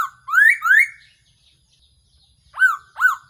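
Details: A trapping decoy recording of the Black-throated laughingthrush: two long upslurred whistles in quick succession, a silent gap, then two short arched whistled notes.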